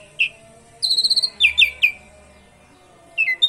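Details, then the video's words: Asian pied starling giving canary-like phrases, meant to make other birds sing: a single chirp, a short trill, three loud down-slurred whistles, silence, then two more whistled notes. "Pancingan JALAK SUREN gacor isian KENARI !! pancing burung lain ikut gacor"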